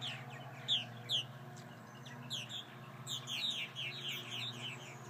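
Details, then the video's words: Purple martins calling after repeated hawk attacks: sharp, slurred chirps, some loud and isolated, then clustered bursts of overlapping notes from several birds, over a low hum. "Purple Martins after several hawk attacks"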